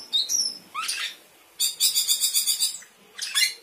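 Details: Sooty-headed bulbul giving high whistled notes and upward-swept calls, then a rapid even series of about eight bright pulsed notes and a final rising sweep.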